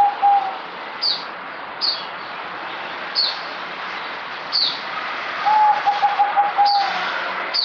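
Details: Merbok or zebra dove, dated 08052020: a brief coo opens, then a rapid string of clipped, even coos follows midway. Repeated high, descending chirps from another bird and background hiss run throughout.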